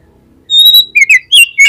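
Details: Oriental magpie-robin singing in a lure recording used to set off other magpie-robins: a sustained pure high whistle, then three short bright slurred notes dipping and rising, loud and clean against a silent background.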